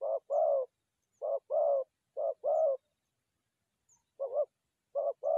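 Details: Low paired dove coos used in trapping forest doves, given in bursts of two with a gap of about a second between pairs and a longer pause midway.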